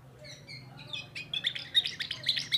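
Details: A young Timbrado canary from 2024 sings a quick, bright run of high chirps and trills that grows louder and denser, with metallic notes near the end; a faint low hum lies underneath.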